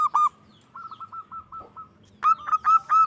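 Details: Local zebra dove with a big, loud song meant to provoke rival doves into answering: a quick rolled burst, then a string of soft short coos, then louder, clearer repeated cooing notes at a steady mid pitch.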